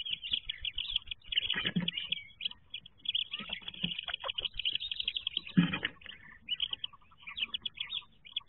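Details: Many wood duck ducklings calling inside their nest box in 2023, just before the jump: continuous high, thin peeping from overlapping chicks, with occasional louder thumps and scuffling.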